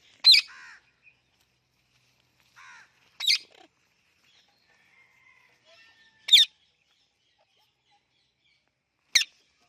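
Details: Talking pet Indian ringneck parrot giving four sharp isolated clicks about three seconds apart, with a faint thin whistle between them and otherwise quiet surroundings.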